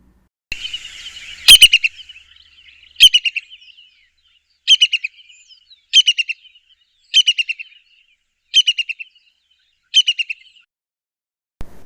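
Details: In southern Africa, a Brown-hooded Kingfisher gives a series of high, rapid, descending chattering trills, each burst repeated about every one and a half seconds.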